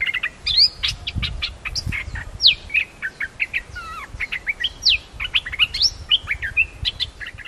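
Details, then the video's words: Red-whiskered bulbul, a newly trained decoy bird, two birds; rapid run of bright whistled and chirpy notes, many sweeping up and down steeply, delivered in quick busy phrases with brief gaps, loud and clear over faint low background hum. "เสียงต่อนกดอกแตงEp.245 นกต่อหัดใหม่ จ้าวมณีแดง 2หลัก 2ตัว!! Suara merbah lekir"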